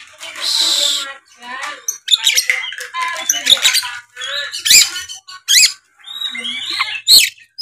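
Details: Oriental magpie-robin in full 'gacor narung' fighting-mode singing, meant to provoke rival males: harsh rasping squawks, then bursts of sharp rising and falling whistles and scratchy notes in quick, broken phrases.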